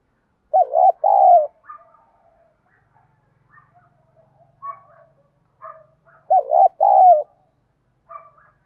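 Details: Spotted dove giving the giọng đồng thúc đấu call, a thổ bầu voice used with a decoy to lure wild doves: a low two-part coo phrase, a long pause with soft scattered chirps, then the coo phrase again.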